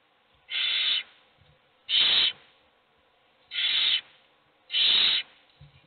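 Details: Four coarse hissing begging screeches from hungry owl chicks in a nest box, each about half a second long, spaced roughly one and a half seconds apart, with faint low knocks.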